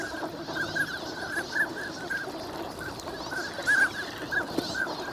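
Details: Ducks, winter migrants at Lake Inawashiro's Nagahama shore, recorded in the morning in good weather; scattered short nasal calls in loose clusters, a few louder notes standing out near the end.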